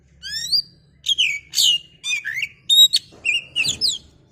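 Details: Caged oriental magpie-robin (kacer) songs meant to provoke another bird; a continuous run of loud, varied whistles, sweeping up and down, with buzzy notes and a faint low hum behind.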